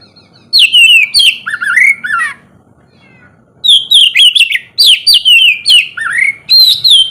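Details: Oriental magpie-robin singing in the morning, a recording used to prompt lazy caged birds to sing: loud, clear whistled phrases with rich, varied notes and slurred swoops, a short silent break, then a fresh burst of repeated whistles.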